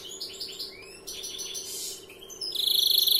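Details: Young European greenfinch singing in the long-phrased 'larguero' style: twittering chirps and rising whistled notes, then a fast, even, buzzy trill repeated many times per second near the end. A steady low hum runs underneath.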